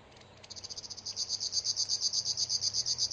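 River warbler song: a dry, insect-like rattle of rapid, high buzzy pulses, about nine per second, building in strength and running without a break.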